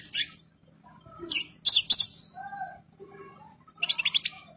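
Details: Goldfinch in full breeding condition gives a few isolated high chirps and buzzy notes, then a short fast run of tinkling twitters.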